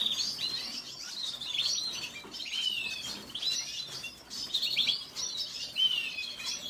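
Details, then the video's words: Red siskin delivering bursts of high chirping twitter, each burst about a second long, separated by short gaps. "سیسکنی سور سسكن فنزويلي احمر red siskin"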